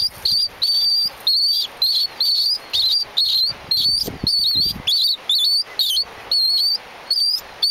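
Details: A Galapagos mockingbird on Genovesa Island, Galapagos, sings a rapid series of short, high whistled phrases, each about half a second long, broken by brief pauses, with a faint low rustle midway.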